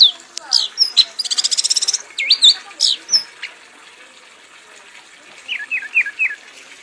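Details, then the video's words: Red-whiskered bulbul, a competition-winning bird, singing excitedly to exhaustion: sharp whistles, a fast rattling trill of evenly spaced notes, swooping slurs, then softer, repeated downslurred chirps over faint background hiss. "kanis merah bunyi sambil mabok sampai lemas"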